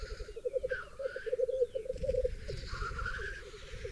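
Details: Brief stretch of black grouse display at a bog lek in Berezinsky Biosphere Reserve, with hens present: a dense, low bubbling murmur with a soft hissing note in the background.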